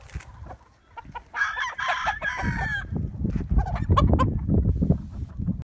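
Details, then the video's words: Chickens and roosters at daybreak: two crows overlap between one and three seconds, harsh and strongly harmonic, followed by dense clucking and low scratching noise. "Wake up to the sound of chickens and roosters crowing"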